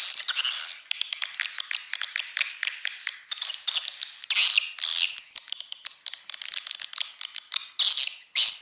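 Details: Swiftlet calls for luring birds into swiftlet houses: steady high, scratchy twittering and ticking, with louder buzzy bursts at intervals and rapid clicks woven through, all high-pitched and free of other noise.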